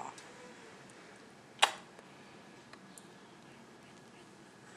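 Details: Quiet indoor room tone broken by one sharp click near the middle and a few faint ticks, with no animal voice.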